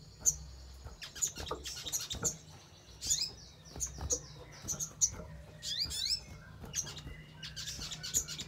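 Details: Crimson sunbird used as a lure so other birds respond: thin, high single chips and occasional rapid swept notes, irregularly spaced across the clip, with a faint low hum underneath.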